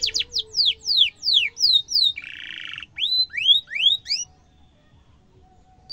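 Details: Lively canary in full song, a cuit-cuit rolling style offered as a master song for training young canaries. Rapid series of sharp, high downslurred whistles, then a short buzzy rattle and upslurred notes, fading out near the end.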